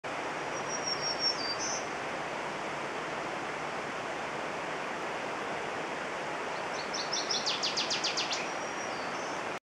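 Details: A Northern Waterthrush at R. B. Winter State Park gives a quick burst of bright, ringing chips near the end, with thin high whistles earlier, over steady rushing water throughout.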